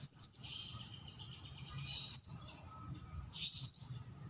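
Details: Brown-throated sunbird giving spaced pairs of high, hooked chirps with soft, lower twittering between them over a quiet background.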